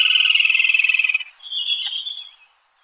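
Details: An unbarred rufous crake of wet grassy lagoons in northern Venezuela utters a fast, pulsing trill. The trill drops gently in pitch over a little over a second, then trails into a softer, higher drawn-out note.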